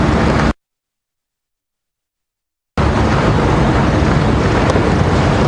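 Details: Evening game drive at Djuma Game Reserve, 2 June 2015: steady broadband engine rumble, cut by about two seconds of complete silence, then the same rumble resumes; no animal voice.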